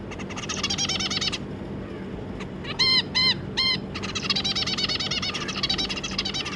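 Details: Two adult zebra finches and their three juveniles, 25 July 2022, give fast buzzy chattering bursts, then three separate nasal beeping calls in a row, then more rapid rattling chatter, with a low background hum throughout.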